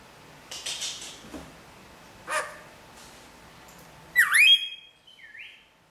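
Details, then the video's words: Pet rainbow lorikeet mimicking an R2D2 bleep phone ringtone indoors; soft scratchy noises and gurgles, then a sudden burst of sweeping, warbling electronic whistles ending in a short rising tone. "Star Wars R2D2 Bird - Greg the Rainbow Lorikeet"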